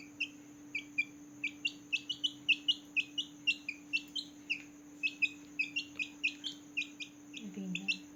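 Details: Newborn chickens peeping loudly at night, a dense overlapping series of high, sharp descending chirps from several chicks, several per second throughout, with a constant low electrical hum and a brief low rustle near the end.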